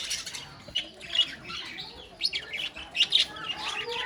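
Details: Several budgerigars in a colony giving scratchy warbles and short chirps that overlap in irregular bursts of chatter.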